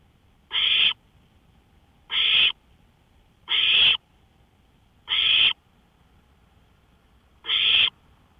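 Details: Owl on a porch at night, 1:53 AM, 5 May 2013. Five raspy, breathy screeches of about 0.4 seconds each are spaced around one and a half seconds apart, with a slight pause before the last one, against near silence.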